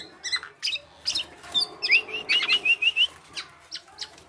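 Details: Black-naped oriole, a male, singing an odd song that copies other birds' calls: scattered sharp chirps around a short run of six quick, even high whistled notes, then more clipped chirps.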